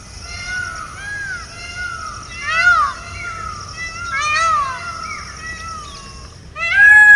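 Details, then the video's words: Indian peafowl (peacock) giving loud, nasal, cat-like wailing honks that rise then fall, several over seven seconds, the last one loudest, over a steady high insect drone. "Peacock Honk 🦚 Peacock Call ~ PEACOCK Sounds | peacock voice | मोर की आवाज"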